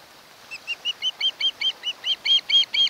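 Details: Osprey pair at a nest on Kent Island, Maryland, watched by a nest camera on 1 August 2018: a quickening series of about a dozen sharp, chirping whistles that grow louder and closer together.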